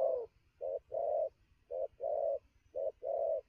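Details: Wild-caught spotted dove cooing fast around noon: mellow low coos in quick short-then-long pairs, three couplets in a row.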